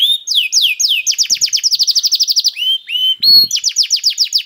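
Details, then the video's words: Canary singing as a prompt for other canaries: slow downward whistles, then a quick rolling trill, a pair of level whistled notes and a final fast trill of bright chirps. "KENARI GACOR CENGKOK ISTIMEWA #213 || VOICE OF CANARY"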